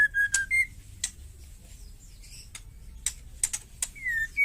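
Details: Wild female White-rumped shama giving its ketrekan call, said to provoke other birds into singing; short clear whistles, one falling and one rising, are broken up by sharp, dry clicks scattered through a quiet background.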